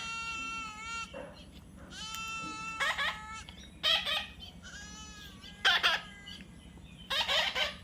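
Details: Baby parrot alternating clear, steady whistled tones with short rough squawks, the calls coming in irregular bursts every second or so against a faint background hum.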